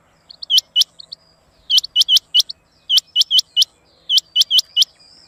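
A rain quail gives sharp, high, metallic whit-whit notes in quick bursts of two to four, repeated every second or so, against a quiet background.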